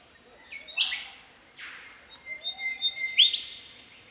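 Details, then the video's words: In spring in the Australian bush, an Australian Golden Whistler sings rich whistled phrases: a sharp whipcrack-like sweep, a softer descending slur, a run of clear level whistles, then another bright whipcrack-like note. "Golden Whistler Call - The sounds of an Australian Golden Whistler singing in spring."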